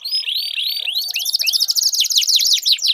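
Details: Canary singing in a lure for a non-singing canary: a few rising whistled notes, then a fast buzzy trill turning into quick, repeated down-swooping chirps.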